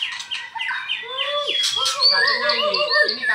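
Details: White-rumped shamas kept in cages, one from Medan, matched against each other in the afternoon; quick descending whistles give way to a loud warbling, wavering phrase with steady low whistled tones beneath.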